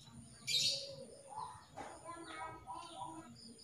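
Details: Female canary calling to a male: one loud, sharp, high chirp near the start, then softer lower warbling tones and faint chirps over a steady background hum.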